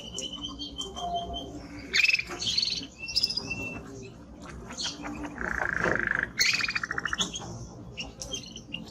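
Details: Male timbrado canary, strong singer, giving scattered high chirps and notes, a short rolling trill midway, then a quick rattled series, somewhat quieter than the rest.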